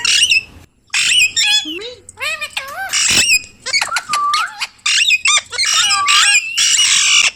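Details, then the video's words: Loud chatter from a pet Indian ringneck parrot: harsh, buzzy squawks alternate with clear bent whistled syllables and clicks, packed into quick, almost continuous phrases. "Talking Parrot video|Ringneck parrot video|Parrot sound video|Parrot voice video"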